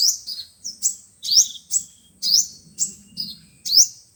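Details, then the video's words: Sunbird song of five-colour and seven-colour birds, played by speaker to trap birds: piercing upslurred chirps in spaced bursts, under a soft low background murmur. "Tiếng chim hút mật 5 màu và 7 màu"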